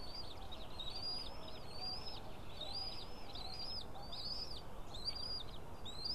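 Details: On 20 April 2016, early morning, the female White-tailed eagle feeds three eaglets at the nest. High, squeaky arched notes follow one another rapidly, about two each second, continuous throughout over a faint hiss.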